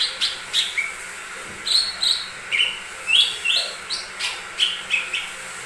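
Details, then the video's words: Lesser green leafbird song used to provoke other birds to sing: short, varied high chirps and slurred whistles, delivered roughly every half second in an irregular string. "Pancingan burung cucak ijo mini"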